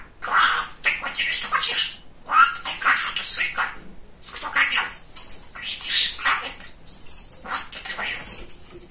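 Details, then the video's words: Pet male budgerigar, very chatty, talking indoors: rapid run of high, scratchy chattered syllables in bursts of about a second, separated by short pauses, with a few thin whistled notes mixed in. "Самый Разговорчивый Волнистый Попугайчик"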